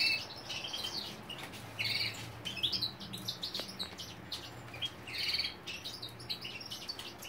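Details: Female European goldfinch begging food from a canary: bursts of bright, high chirps and twitters come in short clusters every second or two over a steady background hiss.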